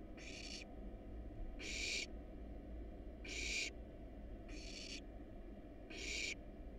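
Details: Hungry wild barn owl nestlings being fed a rat and rabbit in a nest box give five loud, breathy, snore-like hisses, spaced roughly every second and a half, with a constant low background hum.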